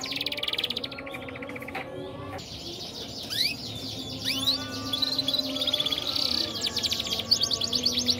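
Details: Canary, a cross between a Red Mosaic and a Waterslager, singing: dense, fast rattling trills with sweeping whistled slurs, over a steady background hiss.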